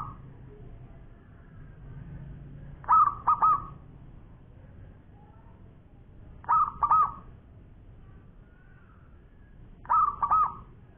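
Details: Champion local zebra dove (perkutut) in lively long-voice song. Three matching phrases about every three and a half seconds, each a short coo followed by a quick double note and a lingering, level coo, over soft low hum.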